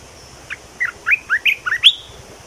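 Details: Newly added song of a red-whiskered bulbul: a short note, then about seven liquid, down-slurred and up-slurred whistles in under two seconds, closing with a louder, higher note that trails off, over light hum.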